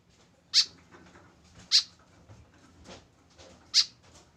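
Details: Kept alone without a companion, a tame white-breasted woodswallow utters three short, rasping, high-pitched calls at uneven intervals of one to two seconds over faint background hum.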